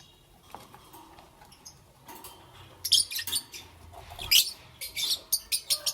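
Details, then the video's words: Morning lovebird calls: faint at first, then a run of rapid, shrill chirps repeated about every quarter second, each a sharp high squeak. "Lovebirds Chirping Sounds"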